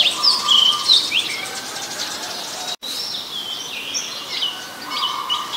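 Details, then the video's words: Oriental magpie-robin, a common resident in Ubon Ratchathani, Thailand, January 2021: quick whistled and slurred notes, a brief dropout midway, then more varied high phrases with a lower steady tone. "นกกางเขนบ้าน (Oriental Magpie Robin)"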